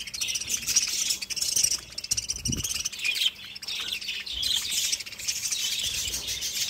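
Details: Budgerigars chirping: dense, bright, high twittering chatter in overlapping bursts, with brief pauses near two and four seconds and a faint low thump in between.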